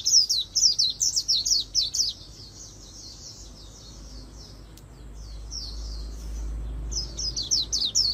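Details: Oriental white-eye giving a rapid 'líu' competition song for voice training in magpie-robin style; a quick stream of piercing high chirps, a quieter pause with soft notes and low background rumble, then the chirping resumes.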